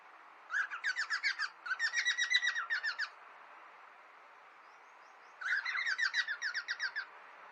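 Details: Pet cockatiels during a friendly fight, two bursts of rapid scratchy chatter, each lasting one to two seconds, separated by a quiet pause of about two seconds, over faint room hiss.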